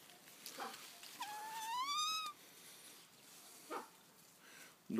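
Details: A captive crested fireback pheasant (Lophura ignita) on a pheasant farm in Sofia, Bulgaria, gives one drawn-out, slightly rising nasal call of about a second, amid brief knocks and faint human voices.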